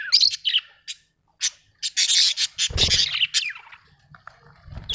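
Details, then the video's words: Budgerigar, described as Australian, giving scattered chirps and squawky bursts with short whistled slurs, with some low thumping noise. "Australian beautiful birds sound 😍 budgie chirping sound 🥰"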